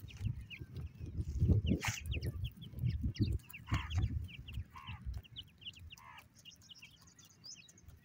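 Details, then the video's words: Partridge chicks giving many short high chirps and cheeps in quick, uneven bursts, with some lower harmonic calls, over heavy low thumping and knocking noise. "partridge chicks sound,pheasant titer chicks voice"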